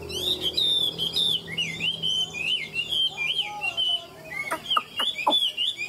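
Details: Tame Chinese hwamei kept in a cage, praised as a strong fighter, delivering 'ngũ trường' song: quick looping whistled phrases, rising and falling. A man talks faintly at the start, and sharp clicks sound near the end.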